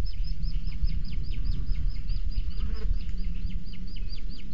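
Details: At a booted eagle nest in Sierra de Guadarrama Natural Park, the chick is fed a weasel by the female on webcam; a rapid, regular series of high, thin downslurred peeps runs throughout above loud low-frequency background rumble.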